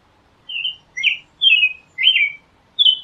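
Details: American robin singing: five short whistled caroling phrases in about three seconds, each a slurred, warbling note that dips and rises, separated by brief gaps, over a quiet background.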